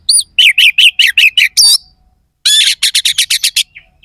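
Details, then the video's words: Oriental magpie-robin singing harsh, sharp phrases to provoke competing birds: fast strings of repeated bright chirped notes, about eight in a row, a brief gap, then another rapid run of ringing notes. "Suara kacer gacor NEMBAK ISIAN KASAR"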